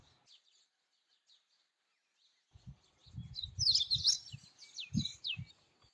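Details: Indian robin song: a quick burst of high, scratchy chirps and short twittering notes rising in loudness mid-way, over low thumping background noise.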